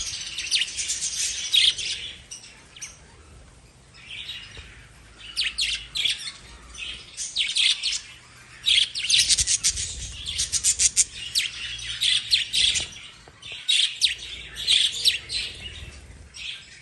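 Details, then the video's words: Pet lovebirds chirping in dense, high bursts of quick twittering notes that pause briefly and restart, with loud and quiet stretches alternating over a soft low background hum. "Love Birds Relaxation"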